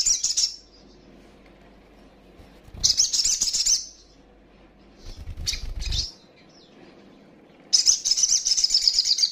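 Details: Female sogok ontong (little spiderhunter) calling to provoke rivals: short bursts of very high, rapid chattering separated by quiet gaps, with some low rustling or fluttering noise.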